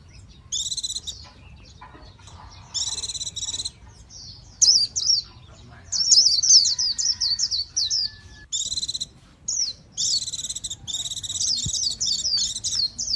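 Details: Japanese white-eye delivering bursts of high buzzy trills and quick slurred chirps, separated by short silences, growing louder and busier in the middle.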